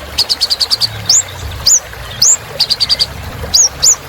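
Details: Olive-backed sunbird in full song to get silent birds singing: a run of about eight evenly spaced ticking notes, then loud rising whistled upslurs, another ticking run and two more upslurs.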